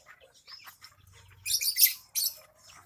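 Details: Javan myna annoyed at being peeked at during its bath gives two loud, hissing, scratchy bursts in close succession after a few soft chirps.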